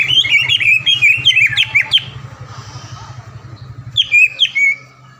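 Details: Greater green leafbird (cucak ijo) lure song for provoking a rival: a dense two-second stream of rapid whistled and chirped notes, a pause, then a few more sharp whistles, with a faint low hum.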